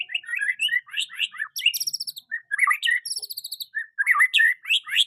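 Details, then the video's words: Song of a young white-rumped shama used as a master bird to teach other shamas: a rich, fast medley of varied whistles, chirps and buzzy high trills that changes pattern every few notes without pause. "Murai batu muda cocok untuk masteran burung murai belajar bunyi"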